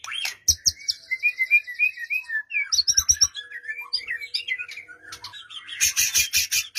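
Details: White-rumped shama song meant to stir a silent bird into singing, morning or evening: a rapid series of liquid whistled notes, a twittering middle passage, and a dense buzzy burst near the end.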